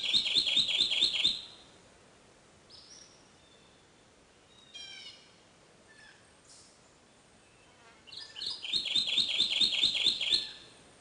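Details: Kentucky Warbler in shaded, moist Ozark forest bottoms during the spring dawn chorus sings two loud, rolling bursts of rapid churry-churry, about 1.5 seconds each, with faint chips from other birds between.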